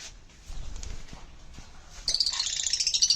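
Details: Pet sun conure: faint room noise at first, then a sudden loud series of shrill, rasping pulsed squawks filling the last second.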